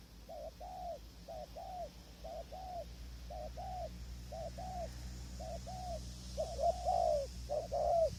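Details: Spotted dove cooing in a long steady series at a windy decoy-trapping tent while wild birds stay far away; eight two-note phrases, short then long arched coo, evenly paced, growing louder near the end.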